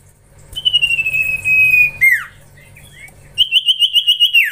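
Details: Young common iora in training: a long, slowly falling whistled note, a quick downward squawk, a pause, then a fast string of about eight trilled pulses on one pitch ending in a drop.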